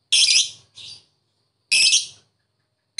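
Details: Lovebird in the ngetik ngekek fighter style, used to provoke silent lovebirds into answering: a few loud, harsh, shrill screeches in short bursts separated by silence.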